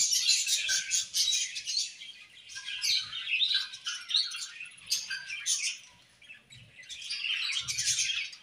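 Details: Playful pet budgies in a group, serenading with a busy high warble of fast chirps and buzzy chatter, broken by brief dips in loudness before the chorus picks up again.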